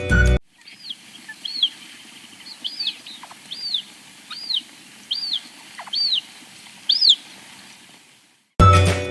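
Western Marsh Harrier giving seven thin, high, arched whistles, each rising then falling, spaced under a second apart over a low background hum.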